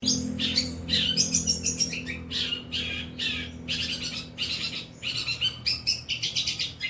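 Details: Long-tailed shrike giving a mimicking song with 'kuntilanak' and 'greja petir' phrases: rapid bursts of harsh, scratchy high notes repeated in quick runs, with a faint low hum beneath.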